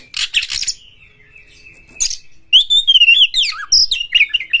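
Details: Oriental magpie-robin in Indonesia, worked up for a fight, gives rasping bursts and a long thin held whistle, then a fluid warbled phrase of sweet sliding whistles rising and falling rapidly.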